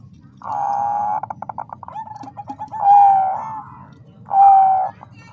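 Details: Calling female Bangkok-type zebra dove, meant to arouse the male's breeding urge: a buzzy rattling note dissolves into rapid pulses, then two loud drawn-out coos separated by a short pause.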